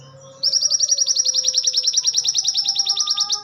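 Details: Training-song recording of a crested jay: a rapid, even rattle of clipped high notes lasting about three seconds, with a soft steady hum underneath.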